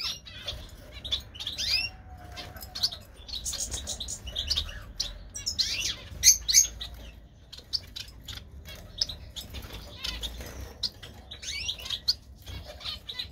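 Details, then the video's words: A newly paired breeding couple of Gouldian finches (Erythrura gouldiae) courting give thin, high chirps and soft sibilant notes in quick irregular bursts, with wing flutters and a low background hum. "Gouldian finch 4k ( Erythrura gouldiae ) Diamante de Gould official video sound"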